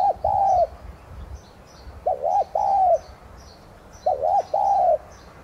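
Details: Spotted dove, tigrina, serving as a decoy with thúc gù cooing to stimulate song: a long coo, then two phrases of twin short hoots and a sustained mellow note about two seconds apart, high chirps of small birds behind.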